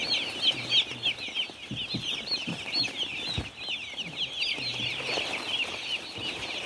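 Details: Numerous baby chicks on a farm cheep in a busy, shrill chorus of quick down-slurred notes, accompanied by a few soft low bumps and hums.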